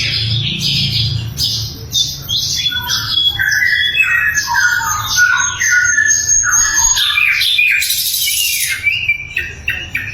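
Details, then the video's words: Loud, clear sikatan londo flycatcher song made as training material for magpie robins and other songbirds. Rapid varied whistles, slurred notes and trills follow one another, with a harsh, buzzy burst toward the end. "SIKATAN LONDO GACOR - SUARA LANTANG & SUPER JERNIH"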